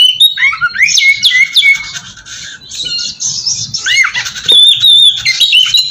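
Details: Oriental magpie-robin song used as a lure to provoke other magpie-robins: loud, varied, rich whistles with sliding rising and falling notes, high sweet phrases and some harsher scratchy bits, delivered continuously.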